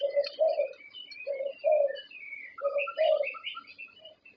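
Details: Champion zebra dove from Thailand utters a few low rounded coos in pairs, partly overlapped by busy higher chirping and whistling from other birds.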